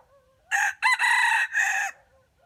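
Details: Jungle chicken, a wild chicken used as trap bait, crowing: a loud harsh multi-part crow of about one and a half seconds, a short opening note followed by two long sustained segments, with quiet background.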